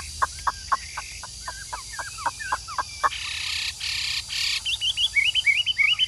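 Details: Caged Chinese hwamei performing 'ngũ trường' style song: a string of sharp, clipped notes, then two loud noisy bursts, and finally quick, rising whistled phrases repeated in a fast rhythm.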